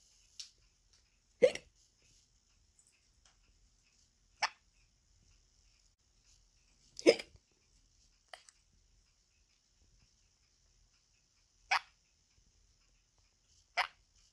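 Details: A pet sun conure copies its owner's hiccups with short, abrupt gulping clicks spaced several seconds apart.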